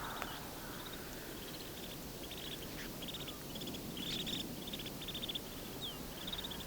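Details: A flock of a few hundred wintering snow buntings in flat farmland, Haldimand County, Ontario, gives dry, buzzy rattles in quick overlapping bursts with an occasional clear falling whistle, over a steady low rumble of wind.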